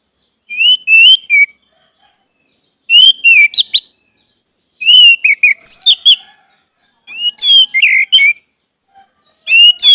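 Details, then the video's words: Orange-headed thrush (anis merah) singing a lure song meant to prompt quiet birds into steady song: rich whistled phrases of slurred, rising and falling notes mixed with sharp chips, repeated in short bursts about every two seconds. "pancingan anis merah agar anis merah macet cepat bunyi dan gacor"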